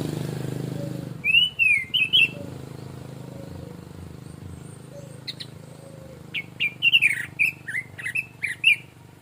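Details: Orange-headed thrush (anis merah, punglor) singing in the relaxed 'plong santai' style: a short burst of bright, slurred whistled phrases, a long pause, then a quicker run of varied chirpy notes. A low rumble is heard at the start.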